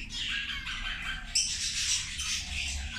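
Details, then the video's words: Feeding zebra finches chatter in a busy, nasal stream of short calls, one sharper high note standing out midway through the overlapping chorus. "Australijske zebe ručak"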